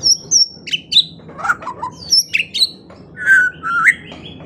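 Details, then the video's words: A white-rumped shama sings with a morning-and-evening training recording meant to get quiet birds singing: a rich, varied song of clear whistles, sharp high notes and slurred phrases, changing rapidly with each burst. "Masteran Pagi dan Sore Hari Murai Pendiam Langsung Ikut Bongkar Isian | shama bird"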